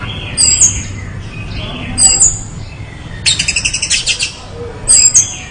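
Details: Orange-headed thrush giving short, high, sharp whistled phrases at intervals of about one and a half seconds, with a rattling burst midway over a faint low hum.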